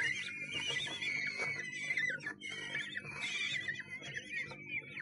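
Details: Kestrel at a Sussex nest box, 1 June 2011, giving long wavering whines that hold a steady pitch with small wobbles, two extended bouts split by a brief dip, over constant low electrical hum.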